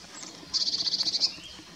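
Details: Eurasian blue tit in courtship, forest at Kotthauesn, Wuppertal Beyenburg, NRW, 12 May 2021: one crisp, very high trill of about ten quick evenly spaced notes, rising slightly at the end, over quiet background.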